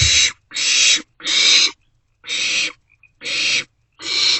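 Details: Barn owlets in a nest box at night on 27 March 2024, around 1:47 to 2:06 am, sharing a vole meal and passing it back and forth: six harsh, breathy hisses of about half a second each, separated by short silences.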